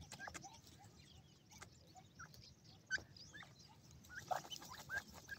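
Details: Playing white francolin chicks utter scattered short peeps and rising chirps at uneven intervals, some louder bursts near the end, over constant low rumble.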